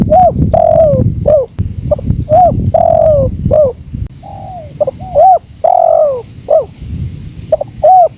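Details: Spotted dove in a 2024 training recording with natural wind behind it: a busy run of mellow coos, short hoots alternating with longer falling notes, about one phrase every two seconds, over faint wind rumble.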